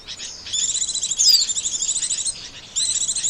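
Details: White-eye trapping-lure calls: a steady stream of thin, high twitters with one sharp falling whistle near the middle, after a short pause at the start.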